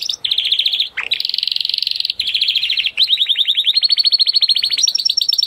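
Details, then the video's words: A Spanish Timbrado canary sings loud metallic rattling trills, fast rolled phrases of sharp notes that shift in speed and pitch, with a brief rising slur between them. "Spanis Timbrado - Canary Singing"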